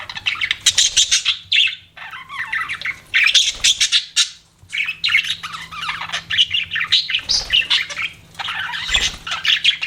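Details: Pet budgies in lively chirping chatter: rapid bursts of high, buzzy twitters and squawks in overlapping phrases, broken by two brief near-silent gaps.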